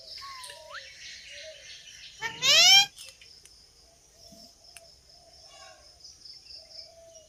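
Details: A talking rose-ringed (ringneck) parakeet gives a brief rising whistle, then a loud, harsh, half-second burst of speech-like chatter, over a steady high hiss and faint background chirps.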